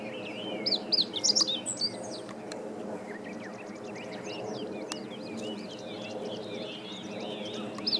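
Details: Meadow bunting singing, recorded 20 March 2015: a quick burst of high, bright chirped notes lasting about a second and a half, then quieter distant bird calls and a steady low background hum.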